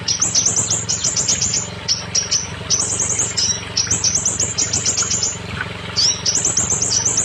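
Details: Scarlet minivet song for getting unready, stalled or molting birds to sing loudly: long bursts of rapid, piercing high chirps broken by short pauses and lone rising notes, over a continuous low hum.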